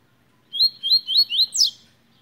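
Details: Tui giving a short phrase of five clear, rising chirped notes in quick succession, ending in one sharp, steeply falling note; the background is quiet.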